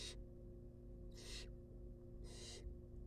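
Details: Begging barn owl chicks, wild, in a nest box during feeding: three rasping hiss bursts, the first cut short, separated by about a second of quiet, with a constant low hum underneath.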